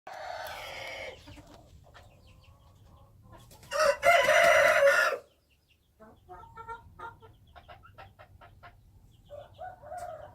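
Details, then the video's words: Wild chicken rooster crowing, a loud harsh crow lasting over a second near the middle, with a shorter crow at the start and scattered clucks and rustling noises between. "Noob qaib qus Qaib dib qua zoo - wild chickens"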